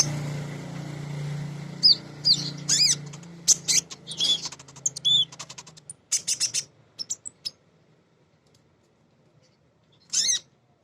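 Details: A female kolibri ninja sunbird sings to lure other birds: a low hum at first, then scattered thin high chirps and buzzy notes, fading into silence before one last sharp burst.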